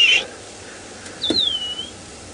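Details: A yellow-throated longclaw calls just ahead of a safari vehicle at sunrise, 22 December, Sabi Sand, South Africa, near bull giraffes: a single clear, high whistle slurring downward and fading after a brief sharp note; quiet background.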